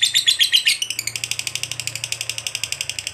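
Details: Lovebird; long trill; played to stimulate other lovebirds to sing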